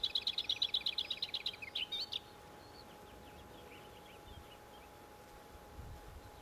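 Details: Lesser whitethroat song: a fast dry rattle of about a dozen identical high notes on one pitch, ending in a brief warbled flourish, followed by faint scattered twittering against a low steady hum.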